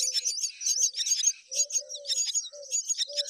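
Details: Myna chicks being repeatedly fed by a parent keep up a rapid, squeaky, wheezy chatter of high begging calls, broken by a few short low hums.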